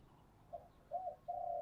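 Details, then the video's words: Distant spotted dove giving its 'giọng thổ' song: a short coo, a double-humped note, then a longer level coo, faint above a low rumbling background. "cu gáy giọng thổ"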